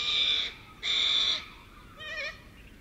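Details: A huge flock of little corellas, well over a thousand, foraging on the ground and in trees in suburban Melbourne, gives two loud, harsh, rasping screeches about half a second each, then a softer, wavering squawk from another bird.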